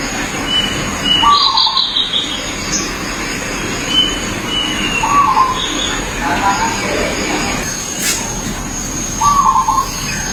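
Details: Wild zebra dove singing in natural habitat, giving brief rolling trilled coos roughly every four seconds, accompanied by other birds' thin high notes, a faint vehicle-like rumble and constant hiss.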